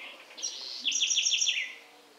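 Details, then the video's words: House wren singing in the Sertão of Bahia, Brazil: buzzy high opening notes followed by a rapid trill of five sharp, downward-sweeping notes, fading out at the end. "Canto da Garrincha - Pássaro do Sertão"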